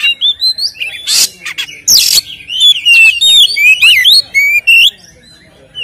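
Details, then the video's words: Captive white-rumped shama in loud fighting song meant to stir other shamas: harsh broadband chattering bursts give way to a fast string of clear, warbled whistles and bright rising notes. "SUARA BURUNG Kacer gacor isian NGEPLONG TARUNG ini paling AMPUH buat PANCINGAN KACER agar EMOSI"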